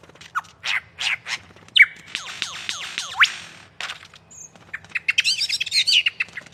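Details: Lyrebird from Australian forests mimicking other sounds: a series of loud downward-sweeping whistled notes, about one every third of a second, then sharp chirps and a fast twittering burst of high notes.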